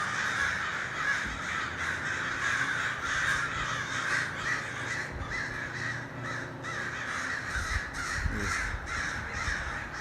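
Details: Hundreds of crows gathering in a large flock, a murder of crows, giving a dense, continuous chorus of overlapping harsh caws with no clear rhythm, the many birds calling at once.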